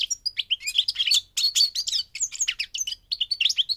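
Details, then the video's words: A brief, busy burst of goldfinch song on migration, crowded with high, tinkling, slightly buzzy chirps in quick succession. "The singing of the migrating goldfinch"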